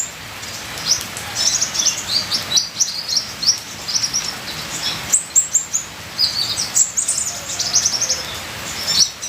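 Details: Ninja sunbird song: rapid, very high thin chirps in repeated bursts of several seconds, with brief pauses, over a continuous hiss like falling rain.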